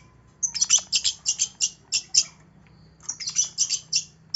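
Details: Lure recording of long-tailed shrike song for a bird that is slow to sing: two bursts of harsh, scratchy high notes, quickly repeated, split by a short pause, over a low steady hum.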